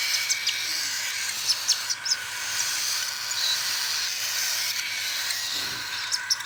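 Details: Hand-fed cockatiel begging at feeding time, a steady harsh hiss with faint banded overtones, sprinkled with short squeaky ticks throughout.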